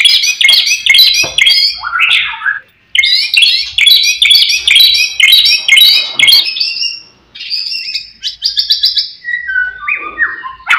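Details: White-rumped shama in full song, used to provoke rival birds: loud, fast, varied phrases of sharp whistles and chattering notes, with short pauses between bursts and several sliding whistled notes near the end.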